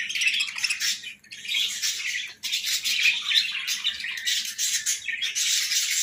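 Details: Morning chatter from pet budgies, buzzy high warbles and chirps in near-constant bursts with two brief lulls, over a faint low hum.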